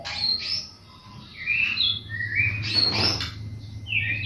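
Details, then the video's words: White-rumped shama song played to provoke other birds into singing: short whistled phrases and rising and falling sweeps, with a loud harsh burst near the middle and low background rumble. "Pancingan murai batu"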